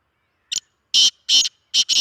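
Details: Harsh rasping call of a Sindhi speeder black francolin, chakri wala type: one brief clipped note followed by four loud grating syllables, the final pair run close together.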